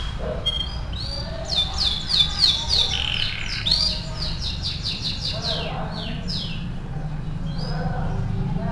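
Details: Canary of the AF type singing vigorously as training song: rapid bright trills and descending chirp series, uneven and varied, over a steady low background rumble and faint voices.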